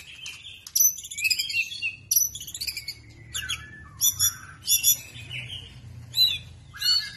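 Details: Young white-rumped shama singing cerucuk imitations: short bursts of bright, high whistles and sharp chips, each phrase under a second, repeated with brief gaps over a low hum.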